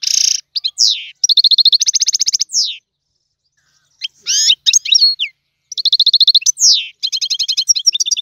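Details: Goldfinch delivering tiwawati song, a tutor performance: bright twitters alternating with rapid buzzy trills and sweeping slurred notes, in two long bursts split by a short silence.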